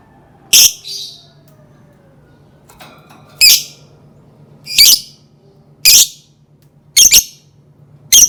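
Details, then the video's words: Lovebird making sharp, high, harsh squawks at irregular intervals of about one to two seconds, some doubled, over a faint steady low hum. "Suara burung lovebird"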